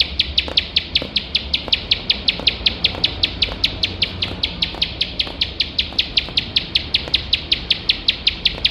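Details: Bar-winged prinia singing tirelessly in nembak style for training competition birds: a lengthy series of clipped, high, ringing chips at about five per second, very even, over quiet background noise.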